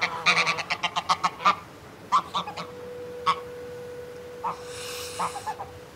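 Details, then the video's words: Adult greylag goose threatening at close range: a quick run of clipped, nasal cackles, then scattered single honks, a steady tone and a soft drawn-out hiss near the end. "Greylag Goose. CU Adult Threat, Cackling & Hissing."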